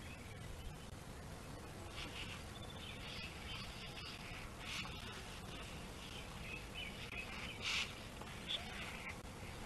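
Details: Bald eagle at a nest on Gabriola Island, an adult mantling and keeping prey while a juvenile waits to steal it, giving thin, high chittering calls in scattered bursts over a steady low rumble of wind and background noise.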